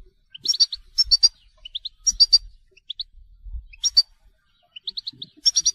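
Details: European goldfinch telqam song made of repeated bursts of sharp high chirps, each group followed by a pair of short rising slurs, recurring roughly every second, over faint low rumble.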